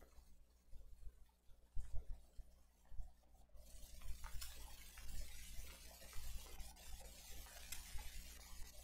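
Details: Steady low hum from an eagle nest camera with scattered soft taps and rustling bursts, and no animal calls.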